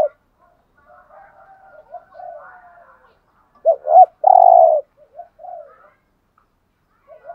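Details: After quiet murmuring notes, a spotted dove in the 'giọng hạp' style gives one loud phrase, a double rising note and a long coo, then softer notes. The recording is used to rouse caged males.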